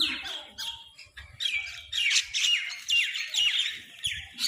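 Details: Crows fighting over food: harsh, hoarse squawks with slurred falling notes, given in quick succession about twice a second, with soft low thumps beneath.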